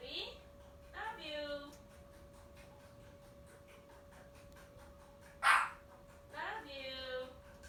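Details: Young pet parrot a few months old calling back and forth with its mother. Harmonic, slightly nasal calls fall in pitch in two bouts with a sharp squawk between them, over a steady electrical hum and background hiss.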